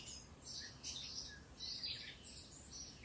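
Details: Eurasian blackcap (Sylvia atricapilla) singing, recorded in Occitanie, southern France, in 2022: quick, varied warbled phrases in three bright bursts over three seconds, with short high twittering notes between them and a faint low background rumble.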